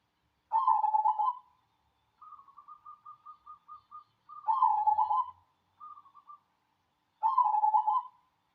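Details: Singing local cemani zebra dove: three quick, bubbling coo phrases about every three seconds, with runs of short, evenly spaced clipped notes in between. Otherwise quiet.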